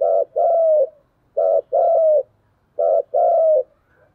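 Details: Challenging spotted dove in Vietnamese cu gù đấu style: three evenly spaced couplets, each a short burred note followed by a long, slightly descending coo, clean and close with a quiet background.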